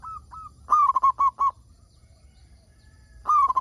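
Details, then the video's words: Local zebra dove song, used as a lure to prompt other zebra doves to sing: two short soft coos, then a rolling, vibrating coo followed by four quick clipped notes, with the phrase starting again at the end over a faint low hum. "Perkutut Lokal Gacor Suara Paling Ampuh Untuk Pancingan Burung Perkutut Agar Bunyi"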